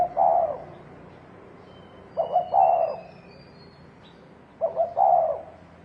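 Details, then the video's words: Fighting 'thổ đồng' call of a spotted dove meant to stir up males: three soft, hollow coo phrases, the later two opening with a pair of quick stuttered notes before a drawn-out rolling coo. "Tiếng chim cu gáy thổ đồng kích trống kích bổi đánh nhau"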